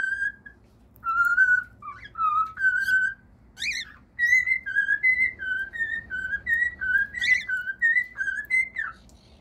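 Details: Pet cockatiels singing: a series of clear whistled notes in a tune-like phrase, steady and mid-high, with short rising and falling slides and a few sharp upward flicks, repeated in quick succession.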